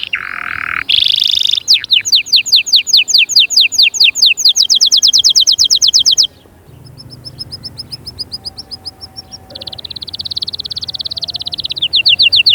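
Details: Canary song played to spur young birds to sing and prepare females: fast repeated high trills in long runs, a brief pause, then a quieter buzzy roll and more rapid high trill notes.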